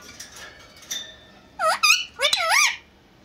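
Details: Two caged Indian ringneck parakeets speaking to each other in Urdu and Hindi: faint chatter at first, then loud, high, rippling speech-like syllables in two clusters with warbling pitch, in a quiet indoor room.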